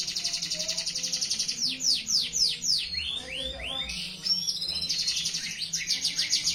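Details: Canary in full song: fast repeated high trills at about four per second, a run of sweeping downward slurred notes in the middle, then rapid high trilling again.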